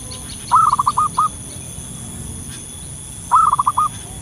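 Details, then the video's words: Wild local zebra dove giving its lure call: a stuttering run of five or six soft cooing notes, then a pause and a second similar phrase, with light high-pitched bird chirps in the background. "suara pikat burung perkutut lokal gacor di alam liar"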